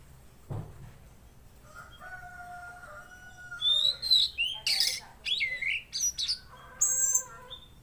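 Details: Soft, steady lower whistles open, then a mangrove blue flycatcher (tledekan laut) bursts into loud, fast, high slurred whistles and chirps in quick succession.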